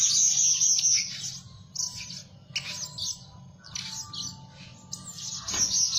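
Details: Lure Blue-crowned hanging parrot, active day and night, delivers piercing high trills and shrill chirping bursts, loud at the start and end with quieter squeaks between, over a faint low hum.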